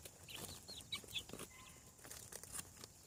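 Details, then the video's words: Hatching chicks on a farm give a few thin, high, descending peeps early on, followed by quieter rustling, shuffling and scattered clicks. "Chick sounds. Hatching From Egg"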